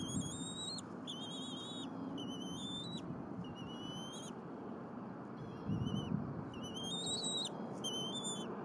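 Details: Nestling bald eagle at Berry College, Rome, Georgia, 4.10.22, while a parent feeds it squirrel brought by its father. High squealing whistles, some rising at their ends, follow one another in quick series over a low background hum.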